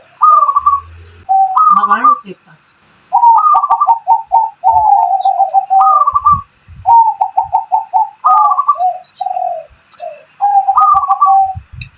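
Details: Zebra dove and spotted dove hybrid singing persistently, used to lure other doves into song; continuous sequences of bright rising coos followed by rapid stuttered notes repeated many times over twelve seconds.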